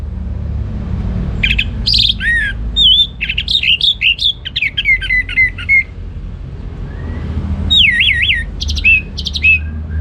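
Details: Orange-headed thrush pouring out varied ngeplong gacor song: mixed high chirps, wavering whistles and slurred notes in dense phrases, a brief lull, then rapid rolling whistled notes.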